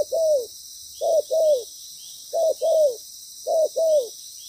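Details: Spotted dove acting as a trapping decoy, loud and well patterned: four couplets of soft coos, brief then longer with a downward slide, roughly a second apart, steady hiss above.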